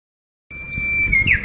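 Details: Japanese bush warbler answering: a long, steady, pure whistle held for most of a second, ending in a quick, bright, tumbling flourish that rises then drops.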